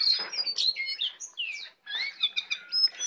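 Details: Brown prinia kept tame in captivity delivers a busy song of quick whistled slurs and chirps, rising and falling notes, with a brief silent gap midway.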